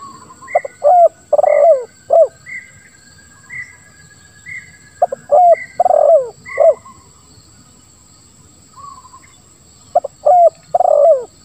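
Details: Spotted dove giving the 'lambung kuk 1, suara ngeruk' song, meant as a lure for doves that will not call. Three low cooing phrases, each of clipped notes, a long rough rolling coo and a falling end note, with faint high chirps between.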